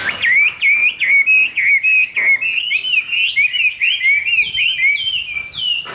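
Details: Rich, fluty hwamei song heard each morning: rapid chains of rising and falling whistled notes, some rolled into short trills, flowing continuously for several seconds.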